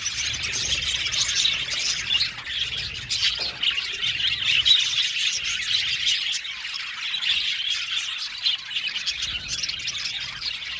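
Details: Seventy pairs of budgies housed together in an aviary, chattering as one steady wall of sharp chirps, squawks and warbling notes, with a low rumble underneath.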